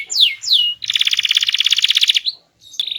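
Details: Canary with a small body and a loud, melodious, varied song: two quick descending slurs, a dense rapid rolling trill, a short gap, then a sharp click and another brief trill.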